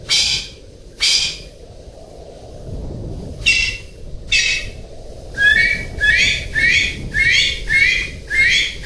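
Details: Golden pheasant giving scattered harsh calls, then after a pause a quicker run of six squealing, rising-then-raspy notes, with a steady hiss behind.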